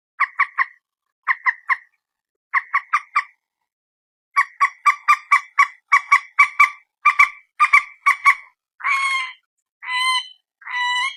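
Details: Common moorhen from Indonesia, recorded by mobile phone: groups of three quick harsh squawks, then a faster run of calls, ending in longer, drawn-out whining notes.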